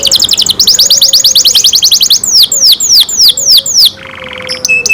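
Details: Pet canary song: a quick rattle of high notes, then a fast run of short rising chirps, followed by slower swooping downward whistles and a closing buzzy, lower trill with a thin held tone.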